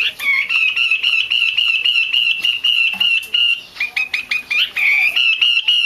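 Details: Female Chinese hwamei, used to stimulate males to sing, delivers a very rapid rattling series of short notes at an even pitch, pausing briefly before resuming with slightly lower, fuller notes.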